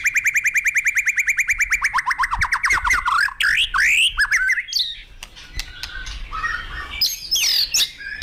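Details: White-rumped shama song opening with a fast, even trill of about twenty-five ringing notes that slide slightly downward, then breaking into looping whistles, buzzy slurs and scattered chips at varied pitches.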